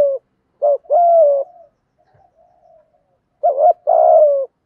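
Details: Spotted dove 'giọng thổ' 'thúc gù' coo for stimulating training birds: one paired phrase of a brief wavering note and a longer falling coo, soft murmuring, then the pair again.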